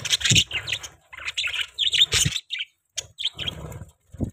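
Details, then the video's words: Budgies chirping in a lively burst of high, buzzy warbles and short chirps, broken by brief pauses, with a few low thumps mixed in. "Budgie Chirping Sound"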